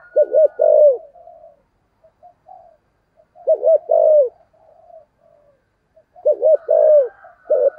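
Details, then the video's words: Decoy spotted dove in the 'thổ' voice style, used to excite and lure wild doves; low, mellow cooing phrases of two quick notes then a longer drawn coo, repeated about every three seconds, with soft lower murmurs between. "Chim Cu Mồi - cu gáy giọng thổ kích bổi rất hiệu quả"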